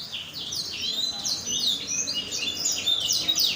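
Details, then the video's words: Canary song played to prompt other canaries to sing: a dense, continuous run of high rapid trills and downward-sweeping whistled notes, loud and unbroken throughout. "mancing suara kenari agar bunyi"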